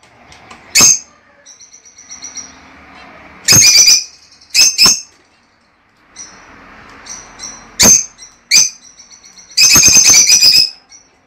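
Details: Caged lovebird pair calling for mating and breeding: isolated piercing squeaks and short bursts of harsh chirping, with soft thin twittering and low background noise in the pauses.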